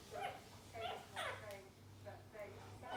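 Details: Indian ringneck parrots at play: a few loud, raspy squawks spaced about half a second apart, then softer chatter, with a low continuous hum behind.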